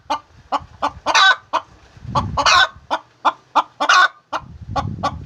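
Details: Hen calling while laying eggs, short clucks and two drawn-out squawks over patches of low rumbling noise.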